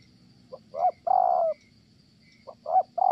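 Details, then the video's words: Male spotted dove cooing in Kon Tum, Vietnam, in a trapping setting, praised for its good tone: short soft introductory notes, then a long, slightly falling hollow coo, repeated after a pause. "Thổ Âm Tốt, đang gù ngon thì mái phá đám"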